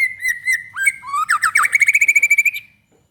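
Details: White-rumped shama singing to provoke other shamas: several clear whistled notes, then a fast, even trill of about fifteen bright notes ending abruptly in silence.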